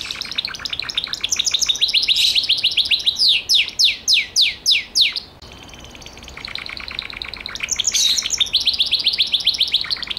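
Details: A Gloster canary sings dense fast trills, then a slower series of strong down-slurred whistled notes, a short pause, and more rapid trilling.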